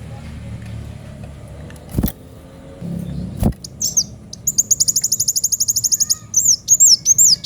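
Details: Kolibri wulung sunbird in sharp chattering song after passing vehicle noise: a few high notes, then a long rapid even trill of clipped chips and closing arched whistles.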